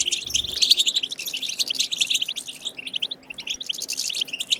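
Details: Rapid, sparkling twitter of a European goldfinch singing 'bitbita' wild song, intended to stimulate goldfinches into song; continuous chatter of high clipped notes, loosening into separate chirps in the second half.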